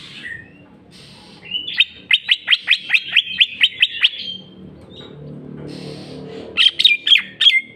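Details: Greater green leafbird, called cucak ijo, singing 'jamtrok' with 'bongkar isian': a steady rattle-like string of about twelve sharp ringing notes, evenly spaced, a pause with soft rumbling, then another quick burst of bright notes.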